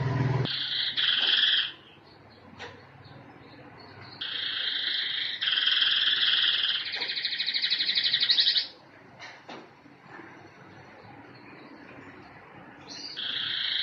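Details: Canary in full song, bursts of dense, rattling trills of a second or more alternating with short pauses, some phrases rolling quickly, with soft clicks and faint room noise between bursts.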